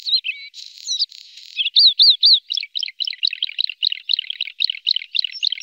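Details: Red-spotted bluethroat from a pair with young in Norway: buzzy and whistled opening notes, three clear rising-falling whistles, then a fast, steady series of repeated sharp twittering notes.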